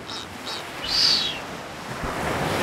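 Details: During the courtship dance ritual in the Galápagos, a blue-footed booby gives two faint high whistles, then a louder arched whistle, over steady surf and wind.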